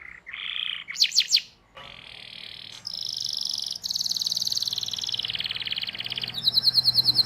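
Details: Canary song played to teach young canaries to sing, long and energetic: varied phrases move from short buzzy notes to rapid rolling trills at different pitches, ending in quick repeated high chirps.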